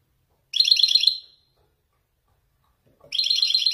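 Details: Male Wedani goldfinch from Morocco singing Marrakchi-style descents: two bright bursts of rapid, high, metallic twittering, the first lasting under a second, the second starting about two seconds later and running to the end.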